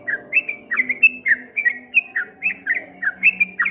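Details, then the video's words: Bubbly whistled phrases from a streak-eared bulbul, 'ropel ngombak banyu' style: paired slurred notes, a falling one then a rising one, repeated steadily several times a second above a soft low hum. "suara burung trucuk kebo bunyi ropel ngombak banyu"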